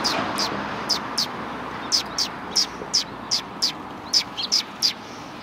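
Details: Road in front of a Tenmangu shrine, 13 December 2019, with sparrows: a regular string of short sharp high chirps, roughly two to three per second, over low rumbling background noise.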